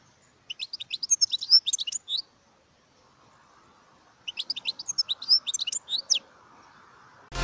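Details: European goldfinch giving two near-identical phrases of quick, high, scratchy twittering about three seconds apart, with a soft hiss between them.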